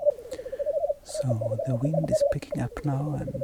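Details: Black grouse males bubble in a low, rapid, cooing pulse at a lek in Sweden in the morning, now fighting less; a man speaks over most of it.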